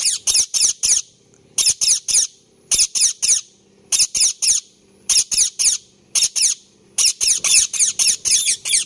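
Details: Indian ringneck parakeet chirping in an angry voice: shrill, very high harsh chirps delivered in quick bursts of three to five notes, separated by short pauses, with a faint low hum behind.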